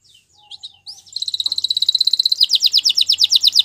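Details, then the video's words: Belgian canary singing for training: a few scattered high notes, then a rapid even trill that breaks into slower, broader repeated syllables in the last second. "Canary Training Video | Belgian Canary Singing"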